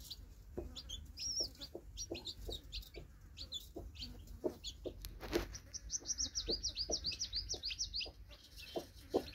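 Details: A broody hen with newly hatched chicks. She gives a steady run of short, low clucks, roughly two per second. Bursts of high, quick chick peeps join in, building to a fast chattering series near the end.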